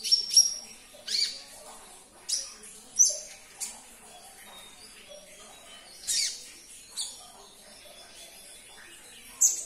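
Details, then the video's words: High-pitched sunbird (konin) chirps played to make caged birds respond: short sharp twitters and thin whistles in separate bursts, spaced by quiet gaps of one to two seconds. "Putarkan 1 menit saja video ini KONIN anda pasti langsung nyaut"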